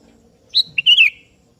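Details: Sooty-headed bulbul of the 'kebo' type calling a rival, which answers: one short liquid phrase, a clear high whistle, a brief pause, then a warbling downward slur.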